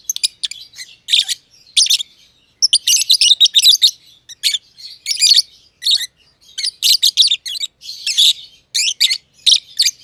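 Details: Lovebirds in a simple aviary, a young green personata and an older green pied personata, chirping continuously with shrill, grating notes packed into clusters and brief breaks.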